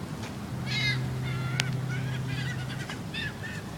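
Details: Seagulls calling on a sunny day within sight of Quebec City: several short, harsh, harmonic cries in quick irregular bursts, over a steady low mechanical hum and background rumble.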